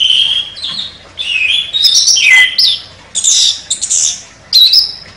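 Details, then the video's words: Champion contest chestnut-capped thrush in sharp, forceful song. Varied whistled phrases jump between mid and high pitch, with buzzy squeaky notes and abrupt breaks, delivered in several loud bursts. "ANIS KEMBANG JUARA NEMBAK TAJAM"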